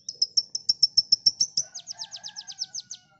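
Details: Konin song for training songbirds: a loud, evenly paced series of about seventeen high chipping notes, steady at first then turning into slurred downward strokes, with a faint low whistle behind the second half.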